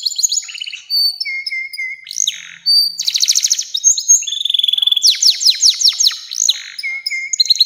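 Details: Canary performing a long song used to train young canaries to sing: level whistled notes alternating with rolling trills and buzzy bursts, shifting rapidly between phrases, with no background sounds.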